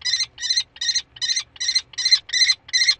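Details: Common kestrel in spring, 15 May, giving a loud, harsh, ringing series of eight evenly spaced 'kee' notes, roughly three per second, against a quiet background.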